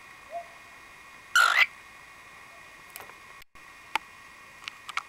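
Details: Pet cockatiel perched on top of its cage, recorded April 2010, suddenly going quiet after a burst of excitement: a single loud, harsh screech lasting about a third of a second, followed by near silence with a few faint clicks and taps.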